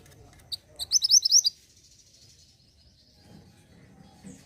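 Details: Indonesian mountain mantenan, a caged bird, giving a short burst of rapid high chirps, then softer twittering and quiet background; played to encourage other caged birds to sing.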